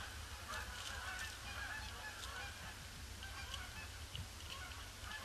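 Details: Many Canada geese honking as a huge influx circles the pond before landing on grey, gloomy Boxing Day 2015; frequent overlapping nasal honks at an irregular pace over a constant low rumble.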